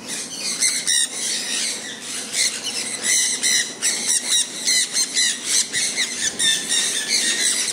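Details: Sun conures out in falling rain give loud, piercing screeches in quick succession, pulsing irregularly from several birds, rain hissing steadily behind them.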